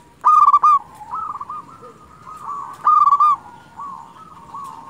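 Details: Local Zebra dove singing actively, used to lure wild doves: loud bubbling cooing phrases of rapid stuttered notes, two phrases about 2.5 seconds apart, with softer cooing from other doves continuing in the background.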